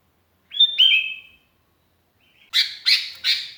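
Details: A lonely sooty-headed bulbul calls out to companions, used as a lure: two clear whistled notes, a short pause, then three loud, sharp chirps in quick succession.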